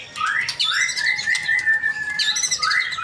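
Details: Male white-rumped shama song of long, rising and level whistled notes with raspy upper tones, repeated in smooth phrases, with a faint steady background hum.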